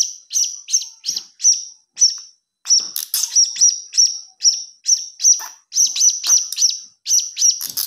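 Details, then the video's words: Blue-crowned hanging parrot chick, a lure sound: a fast, steady run of high, piercing chirps, about two per second, each short and sharp with a brief buzzy tail, continuing without pause over a quiet background. "Suara Anak Burung Serindit"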